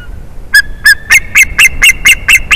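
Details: White-tailed eagle, an adult male with a young-sounding voice, calling in the nest on 8 April 2021 as his mate comes back after five and a half hours: two separate yelps, then a quick chain of shrill, clipped notes.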